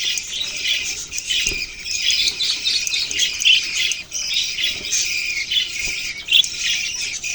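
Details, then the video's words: Budgies filmed on November 6, 2023, fill the air with unbroken, thick, high-pitched chattering. Scratchy squawks and chirps blend into a near-constant hum of many voices. "Budgies beautiful colours and chirping sounds"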